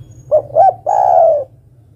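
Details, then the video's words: Female zebra dove calling the male, one phrase of two short hooked notes and a long vibrating coo gently descending, low and soft, over a faint steady hum. "Suara burung derkuku betina memanggil jantan"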